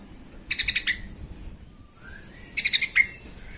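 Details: Yellow-vented bulbul used as a provoking lure for other bulbuls: two bursts of fast, harsh chattering, each ending in a sharper note, with a soft rising whistle between them.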